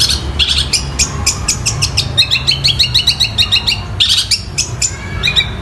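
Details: Long-tailed shrike singing copied calls of quarrelling sparrows and a kingfisher: a continuous stream of fast, high chirps and squeaky doubled notes, with a low background hum throughout.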